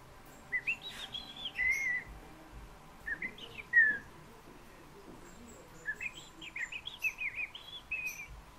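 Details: Loud, clear fieldfare phrases: squeaky rising and falling whistles with rough chattering notes, in three bursts separated by pauses.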